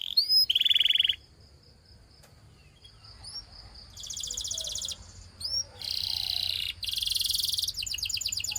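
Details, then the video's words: Canary in the Russian singing style giving short bursts of dense buzzy rolling trills separated by pauses, with a thin steady high whistle and a few brief upswept notes between bursts. "A Special Canary to Seduce All The Canaries - The Russian Singing Canary"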